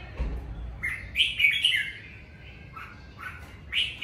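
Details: Red-whiskered bulbul singing naturally at home during the covid season: short whistled, warbling phrases, louder bursts in the middle and a bright rising note at the end, with quiet gaps between.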